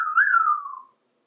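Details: An adult male African Grey parrot, 28 years old, plays with toys in a bathtub. It gives a single clear whistle that rises slightly, then slides steadily downward and fades out in under a second.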